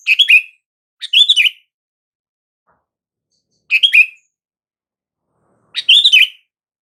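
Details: Sooty-headed bulbul call meant to make silent bulbuls answer: four short chattering phrases, each a quick cluster of notes ending in a bright slurred whistle, two close together then two more spaced about two seconds apart.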